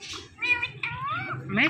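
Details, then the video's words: Indian ringneck parakeet mimicking speech: several rich harmonic, voice-like syllables with wavering pitch in close succession, ending in a harsher louder note, low hum beneath. "These Ringneck Parakeets Are The Best Talking Parrots"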